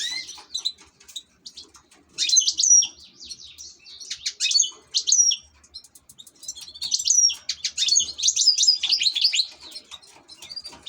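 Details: Ornamental European goldfinch delivering long runs of rapid, liquid twittering song, dense trills and ringing high whistles in repeated surges, pausing only briefly between phrases.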